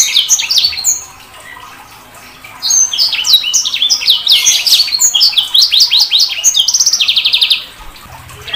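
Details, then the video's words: After a quiet start, a sanger bird bursts into a long run of rapid downslurred whistles, about three per second, ending in a dense buzzy trill of repeated notes. "Suara Burung SANGER"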